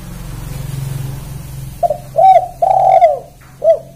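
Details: Spotted dove giving a "kuk 1" style call: after a low steady hum, a short run of hollow, mellow coos, four notes with the middle two drawn out longer.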